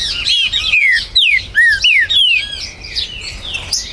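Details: Green-winged saltator, a territorial bird, kept by a Brazilian breeder, recorded 19 September 2020; rapid, loud, slurred whistles dropping in pitch, several in quick succession, with faint high chirps of other birds around.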